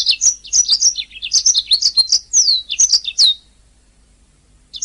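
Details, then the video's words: Training master recording of canary song: one long continuous stream of high, varied whistles and chirps with swooping notes, ending in silence before a new note starts. "Ocehan Suara Burung Kenari"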